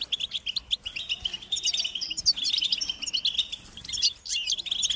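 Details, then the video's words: European goldfinches chorusing, their mating and readiness calls meant to break a male's silence. A dense, high, jingling stream of short chirps and trills is steady throughout, with a louder cluster just after two seconds. "بتبتة الحسون تحفيز الحسون على التغريد والهيجان علاج صمت الحسون goldfinch stimulation"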